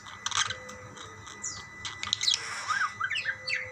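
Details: Budgerigars calling to each other with scattered chirps and a few soft, swooping whistled notes over a faint background hum.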